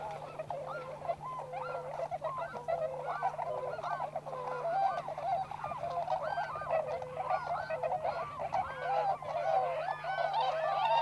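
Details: Wild Tundra swans at a wintering site in Inzai, Chiba Prefecture, Japan, with the American subspecies among them; a dense chorus of overlapping nasal honking calls, many birds calling at once, wavering up and down without pause.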